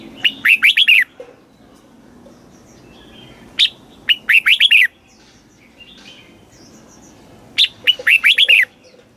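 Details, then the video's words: Red-whiskered bulbul southern master-pattern song, played to rouse caged birds and teach young ones: three phrases of rapid looping whistles, each preceded by a sharp chip, spaced roughly three and a half seconds apart, clean background. "เสียงนกกรงหัวจุก สำหรับต่อ หรือ เปิดให้นกคึก เสียงเพราะๆ"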